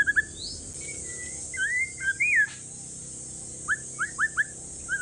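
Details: Forest-strain Aceh white-rumped shama, a year-old male used to spur other shamas into song: scattered clear whistled notes and slurred upward whistles with pauses, over steady high hiss.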